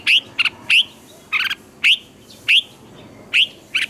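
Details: Red-whiskered bulbul training song for teaching other birds; loud upslurred whistled notes and brief buzzy double chips, spaced about half a second apart.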